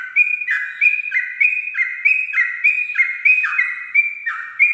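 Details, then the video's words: Dawn 'ropel' song of a Sooty-headed bulbul, a tutoring recording: steady run of paired whistles, each stepping from a high clear tone down to a richer lower tone, repeating about every two-thirds of a second without pause. "pancingan trucuk ropel subuh"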